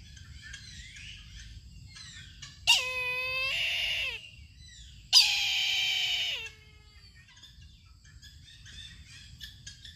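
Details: Two loud, drawn-out, wheezy mewing cries from a Brahminy kite, each dropping in pitch at the close. Faint chirping birds sound in the background.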